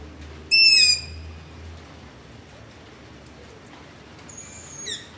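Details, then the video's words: Begging long-eared owls recorded after dark near a house using a ZOOM H5 and LOM Usi Pro: an intense, high, half-second squeal at the start, silence with hiss, then a fainter drawn squeak and short note near the end. "Long-Eared Owl - Begging Call"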